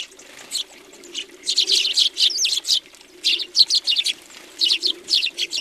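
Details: Flock of house sparrows on a feeder, Recke, Germany, January 2020; lively bursts of high, clipped chirps in groups, a low steady hum underneath.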